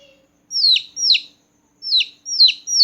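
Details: Small newborn chicken chicks peeping loudly at night: five sharp, high, downward-sliding chirps in short bursts with brief silent gaps, no other sounds.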